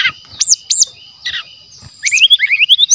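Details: Brown-chested jungle flycatcher song, a wild natural recording used as a lure and tutor track: arched high whistles, then a rapid run of rising slurred notes. A steady high whine runs underneath.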